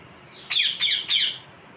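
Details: Parrot calling with a run of three raspy, screechy squawks close together, then quiet.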